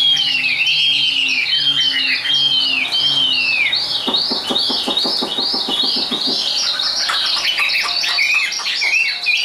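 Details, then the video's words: Tame caged Chinese hwamei, a contest bird singing high: a series of clear looping whistles gives way to a fast dry rattle of clicks, then varied warbled whistles resume. "Họa mi số 1129 Chim thuần sách tay hót cao cầu đấu tốt"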